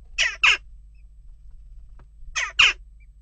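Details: Two quick harsh double calls from western jackdaws at a nest box, about two seconds apart, during continuing unrest, over a low electrical hum.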